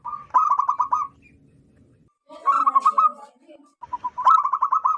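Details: Zebra dove, a local wild-type bird loud enough to lure wild zebra doves, giving rapid bubbling coo phrases of about eight quick notes, then a rougher burst and another fast run of coos.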